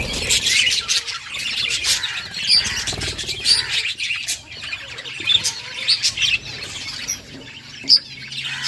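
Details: Budgerigars in a happy mood giving dense, overlapping high chirps and twitters, with brief brighter squeaks scattered throughout and a faint low hum underneath.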